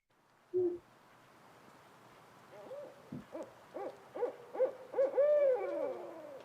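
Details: A trio of owls recorded at a condo in Alexandria, Virginia, hooting: a single low hoot, then a quickening run of rising-and-falling hoots that ends in a long, drawn-out wail.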